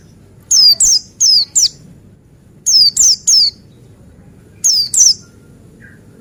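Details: Male Buxtoni white-eye (pleci) used as a lure to make white-eyes sing: loud, shrill, falling chirps grouped in rapid runs of two to four, separated by brief pauses, with a soft low hum underneath.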